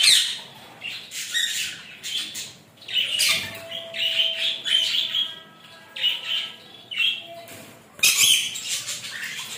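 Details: Rainbow lorikeet screeching while enjoying a shower: loud, raspy squawks repeated in irregular bursts every second or so, with a sustained thin tone mid-sequence and sudden sharp blasts near the start and end.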